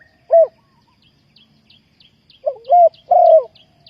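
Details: Trapping decoy spotted dove: one short coo, a pause, then a rising coo and a long, full, slightly falling coo. Small birds chirp steadily and faintly in the background.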